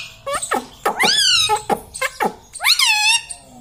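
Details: Pet Indian ringneck parrot talking, said to say "Mummy" and ask for roti; loud, harmonic, voice-like syllables with rising and falling arches, several short bursts and one long sweeping phrase, indoors.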